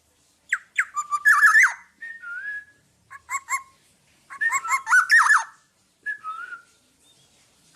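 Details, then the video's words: Lively black-naped oriole (kepodang) song meant for tutoring other birds: harsh warbling phrases with falling notes, interspersed with smooth slurred whistles and paired short clipped notes, varied and fairly continuous. "Burung Kepodang Podang gacor buat masteran"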